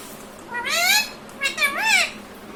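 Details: Talking pet parrot copying human words like "mummy papa". Two nasal, harmonic, voice-like phrases, the second arching up and down, in a quiet setting.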